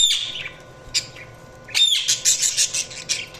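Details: Budgerigars chirping in a loud, busy burst of rapid scratchy warbles and high squeaky chirps, a brief pause, then dense overlapping chatter resuming.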